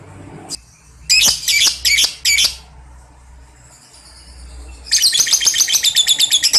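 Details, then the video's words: Lovebird chatter meant to stir young birds into ngekek: four harsh, buzzy high bursts, a quiet stretch with a faint low hum, then a fast rattling trill of rapid repeated notes. "ampuh terapi NGEKEK paud balibu cepat NYAUT emosi tarung labet apapun akan bunyi"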